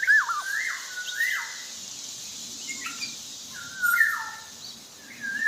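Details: Javan black-naped oriole in active song, giving several rich whistled phrases. Each rises briefly, then sweeps down in a slurred fall, separated by short pauses, against constant background hiss.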